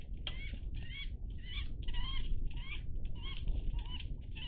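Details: Iberian magpies, a group recorded 03-10-20, repeat clear, slightly wavering nasal calls about twice per second, each with a rasping edge, over a low rumbling background.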